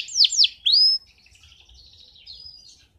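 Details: Male canary singing to teach youngsters and excite females: two sharp downslurred notes and a rising whistle, followed by a soft, faint warble.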